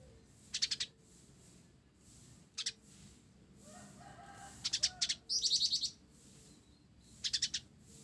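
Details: Vigorous 'blorok' olive-backed sunbird song with sparrow-style fill: scattered high chirp clusters, then a denser, buzzier run of rapid notes near the middle, over a low murmuring background.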